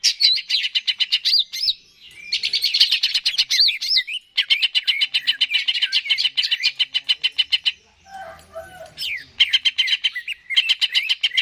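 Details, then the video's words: Greater green leafbird song used as bait playback to stimulate a caged bird to sing: fast, energetic high chirps and looping whistled slurs rattled off in dense bursts, with short pauses between phrases. "PANCINGAN CUCAK IJO GACOR"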